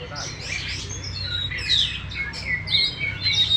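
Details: Contest-winning oriental magpie-robin in a cage, tail spread, delivers loud, varied whistles that slide and twist, mixed with sharp chips, growing stronger toward the end over a low background hum.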